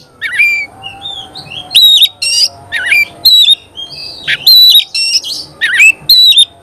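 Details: Oriental magpie-robin singing energetically, giving loud clear whistles that dip and level off, mixed with harsh buzzy bursts, repeated roughly every half second to second.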